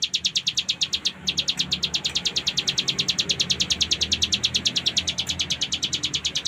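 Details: Continuous full ngebren trill of a cigun: high, metallic chips fired off quickly and evenly, with one tiny break near the start, then steady to the end.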